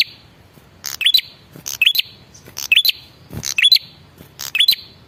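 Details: Lure call of a male prinia, used to provoke replies from other prinias: rapid series of about six phrases, each a harsh buzzy crackle ending in a quick upslurred high whistle, repeated roughly every 0.9 seconds.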